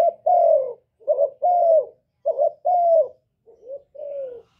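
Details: Spotted dove cooing loudly, recorded directly without background noise and used as a lure to stir kept doves into singing: short double-pulsed notes alternating with longer, slightly falling coos, repeated in steady low phrases.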